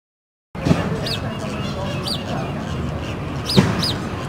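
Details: A pair of Fulvous Whistling Ducks eating duck chow at Sacramento Zoo give thin, high, squeaky whistles, four short slurred notes over a few seconds, above a steady low murmur of voices and background noise.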